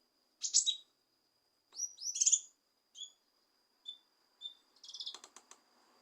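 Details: Lesser green leafbird (cucak kinoi) song used to stir a reluctant bird into singing. Varied high whistles and squeaky chirps come one to three at a time with short pauses, ending in a fast buzzy chatter, against a faint steady tone.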